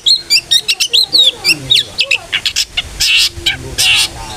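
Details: Long-tailed shrike giving a gacor 'ngeplong' lure song to prompt shrikes to sing: fast sequence of sharp high chirps and slurred whistles, then two broad harsh rasping bursts.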